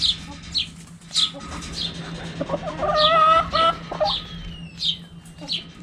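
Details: Backyard hens clucking while playing with cabbage: scattered high chirps and a loud tonal drawn-out cluck in the middle, the flock quieter toward the end, a low hum throughout.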